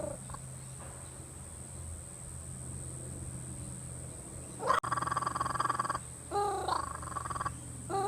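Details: A curious male kookaburra, apparently 'clearing his throat', gives two short, throaty, gurgling chuckles over a steady background hum, with a brief third note at the end.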